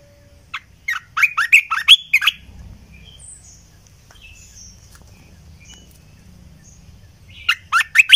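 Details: Red-eyed bulbul decoy song recorded in 2020, used to lure birds in: a burst of quick, bubbly, slurred notes rising and falling, a pause of quiet background hum, then another short run of liquid chirps.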